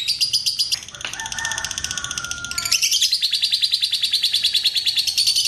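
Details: Long ngekek trill of a lovebird used to prompt other lovebirds to sing: shrill, fast, even pulses continuing for several seconds, interrupted early by a level, lower whistled tone before the chatter resumes.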